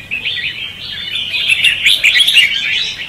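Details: Red-whiskered bulbul singing in competition, a "ché" and "xòe" style lure recording for trapping. A short, rapid run of chirpy, bubbling notes that grows louder and busier toward the end.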